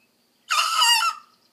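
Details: Young Leghorn rooster, hatched around Easter, practising his crow: one hoarse, raspy, strained attempt lasting under a second, harsh and noisy throughout, trailing off at the end against a quiet background.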